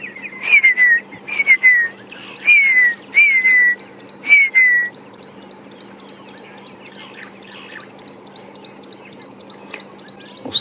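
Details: Red-faced Mousebird at a waterhole in Djuma Game Reserve on a morning safari drive, 1 April 2016, gives five clear, falling whistles about a second apart. Fast high ticking from other birds follows over a lodge's diesel water pump hum.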